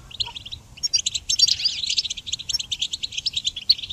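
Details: A goldfinch delivers quick, tinkling twitters that build into a rapid buzzy run near the middle, then continue as evenly spaced sharp chips; song meant for training songbirds.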